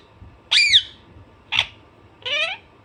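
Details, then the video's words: Alexandrine parrot calling with three loud screeches: a long arched squawk, a short sharp one, then a buzzier nasal call; quiet hum underneath. "Alexanderine naughty parrot/parrot natural sound"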